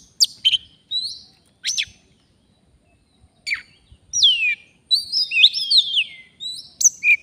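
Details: Oriental magpie-robin from the forest, heard during a bird-trapping outing. Scattered sharp chips and short downslurred whistles come first. After a pause it breaks into a fuller phrase of tangled, warbling whistles.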